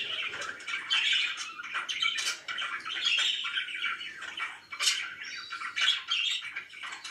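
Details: Happy budgerigars kept as pets, chattering and warbling with scratchy twitters and occasional sharp high squeaks, several birds calling together.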